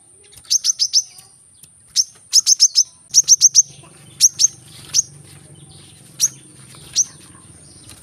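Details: Brown-throated sunbird singing the dense korlap gacor 'tembakan rapat' style, played to prompt silent birds: rapid groups of four or five piercing high ticks, then single spaced notes, with a low humming drone entering partway through.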